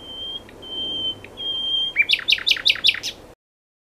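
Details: Common nightingale song: long, level pure whistles broken by short clicks, then a quick run of six sharp, descending notes before stopping abruptly.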